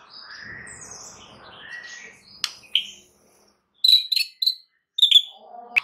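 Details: White-rumped shama lure song, meant to make other shamas answer at once: a varied mix of whistled phrases, then sharp clicks and bright high chips in short bursts with brief gaps.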